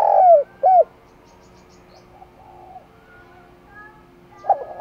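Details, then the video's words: Cooing decoy spotted dove meant to attract wild doves: a long falling coo and a short rounded one open the clip, followed by a long quiet gap and the start of a new stuttering phrase. "Chim Cu Mồi Thúc Gù Gáy Gọi Bổi Nghe Siêng Gáy Nhanh Lên Mồi"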